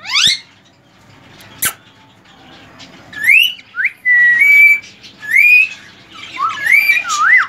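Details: Pet male ring-necked parakeet, three years old and semi hand tamed, giving varied whistles: sharp rising sweeps, a steady drawn-out whistle and wavering slurred notes, interspersed with short squeaks and pauses.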